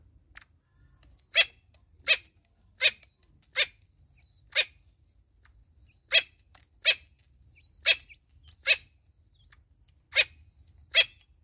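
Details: Natal spurfowl mother with chicks in South Africa: short harsh broadband bursts come in loose runs of two or three, about eleven in all, with thin high descending whistles between them.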